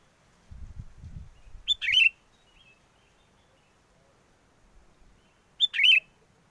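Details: Lure song of a sooty-headed bulbul used in bird trapping, in strong wind: two bright, slurred phrases about four seconds apart, the first just after a gust of low wind.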